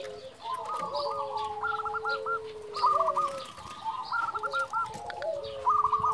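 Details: Zebra dove of local stock, kept as an active caller to stir rival doves, repeating short rolling coo phrases about every second and a half against a faint, continuous lower tone.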